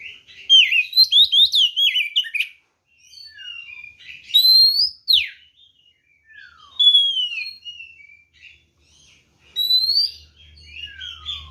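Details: Provocative fighting song of a white-rumped shama: fast chattering run of sharp notes, then clear rising and falling whistles, a long downslurred note and rich warbled phrases separated by brief silences.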